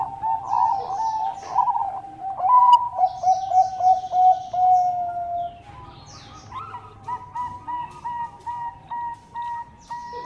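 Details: Singing zebra dove of the Bangkok type, recorded to provoke rival doves into replying; a long run of rolling coos, loud at first, then fainter repeated short phrases.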